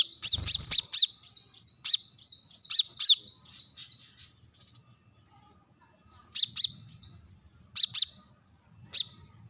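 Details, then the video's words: Brown-throated sunbird, known locally as kolibri kelapa or wiceh, calling sharply to rivals: a fast string of high piercing chips with a thin trailing whistle, a brief pause, then spaced pairs of ringing notes. "kolibri kelapa | manggar | wiceh | suara tajam memanggil lawan"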